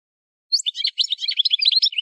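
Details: Algerian goldfinch (parva) from the Kef El Hamam area of Souk Ahras, Algeria, starting after a half-second pause into a fast, clean twittering song of high, tinkling chirps and short trills, with no other sounds.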